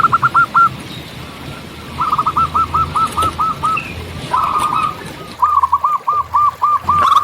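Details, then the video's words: Wild local zebra dove singing persistently: several separate bursts of quick, evenly spaced clipped notes, each run lasting about a second, with a low rumble of distant traffic underneath. "Perkutut Lokal Gacor Audio Jernih Tanpa Noise"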